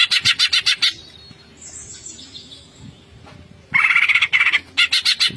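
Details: Greater green leafbird song, "ngentrok" style with full fill-ins: quick rhythmic pulses of buzzy chatter, a quieter interlude with a thin high whistle, then louder scratchy bursts repeated several times per second.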